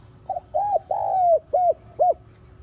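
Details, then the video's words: Lure recording of a spotted dove, used to draw wild doves and prompt caged ones to coo back: a phrase of five mellow, low coos, a short first note, then a long sliding coo and two brief arched notes. "Tiếng Cu Gáy Giọng Hạp BổI ĐỦ BÀI [GỌI BỔI] TỐT TIẾNG kích Bổi Nhanh Nổi.Mở lên là bổi gáy lại"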